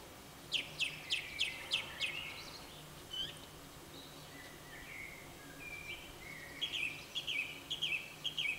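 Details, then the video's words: Song thrush in dawn song: a sharp, high phrase repeated five times in a row, a pause with soft fluty notes, then a new whistled phrase repeated four times, against steady background hiss. "Singdrossel beim Morgengesang"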